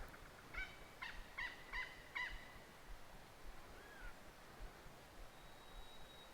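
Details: Lyrebird in Bungonia National Park, NSW, Australia, May 2020, running through its repertoire of mimicked calls beside a gorge hiking track; five short harmonic notes near the same pitch, closely spaced, then a softer rising-falling note and a faint thin whistle in quiet bush.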